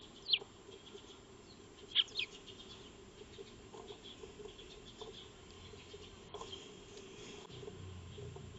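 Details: Eurasian tree sparrows (Maya birds) feeding in a backyard, captured by a motion-triggered solar wildlife camera on 02-03-2025; sharp high chirps near the start, then a close pair around two seconds, over a steady low hum.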